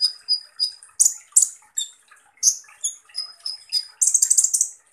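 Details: A rough-burst 'tembakan kasar' song from Van Hasselt's sunbird, the kolibri ninja, with high pure chip notes spaced regularly, harsh rasping bursts, and a closing rapid stuttering buzzy trill.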